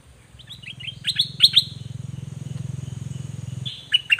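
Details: Dok Taeng birds, a pair, in a 2020 recording used to train young birds to copy: short high whistled chirps and twitters over a steady low pulsing hum.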